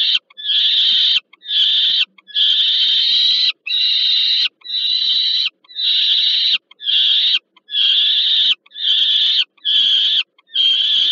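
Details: Poland, Warsaw, Termika Żerań nest, 15 August 2022, as an adult peregrine falcon arrives with food for its young: a steady series of harsh, nasal screeches, each under a second long, repeated about once a second.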